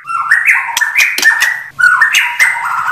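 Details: White-rumped shama delivering two rich warbled phrases of blended whistles and chatter, each about a second and a half long, with a faint low hum beneath.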